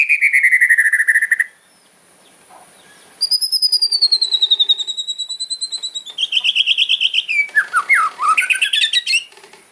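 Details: Fighter white-rumped shama singing aggressive kretekan song with sharp fill notes to provoke opponents; a rapid buzzy trill, a long pure wavering high whistle, then fast stuttering rattles and looping downswept notes.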